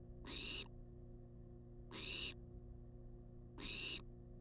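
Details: Wild barn owl in a monitored nest box on a live cam, demanding food: harsh, hissing screeches, each about half a second long, repeated three times roughly every 1.7 seconds over a steady low electrical hum.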